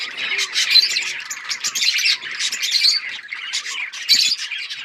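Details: Chirping of Australian parrots: many birds calling at once in a steady stream of harsh, rapid chirps and short squawks.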